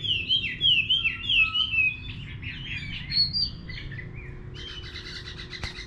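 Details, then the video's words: Chinese hwamei singing in a countryside garden: a run of loud, clear whistled phrases with rising and falling slurs, then softer varied notes and a burst of buzzy chatter near the end. "Nghe Chim Họa Mi Hót"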